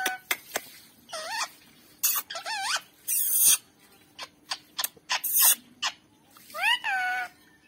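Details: Pet green parrot indoors giving harsh screeches, clicks and rising-falling squawks in irregular bursts, with a steady low hum behind.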